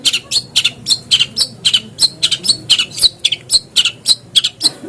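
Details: Long-tailed shrike singing to draw other shrikes into song: continuous harsh, raspy high chirps repeated about twice a second, some doubled, with a soft low rumble underneath.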